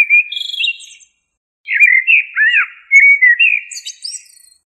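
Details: Common blackbird song. A fluted opening phrase, a pause, then a longer run of looping, swooping whistles. A squeaky high twitter closes the phrase. Nothing else is audible.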